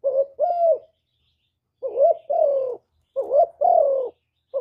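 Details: Mellow low coos of a spotted dove in the 'hap boi' voice, full song of calling, urging and cooing. Each phrase pairs a wobbling short note with a longer falling coo, about three phrases, otherwise quiet.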